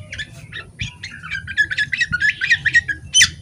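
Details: Female Oriental magpie-robin of the poci type singing while fanning its tail, a fast stream of varied squeaky chirps and whistles that grows louder, ending in a sharp high note, with low background rumble.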